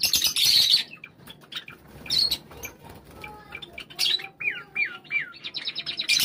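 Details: Java sparrows in a flock drawing together after a call: bursts of high rasping chatter alternate with quieter spells, and short curved chip notes repeat three times near the end.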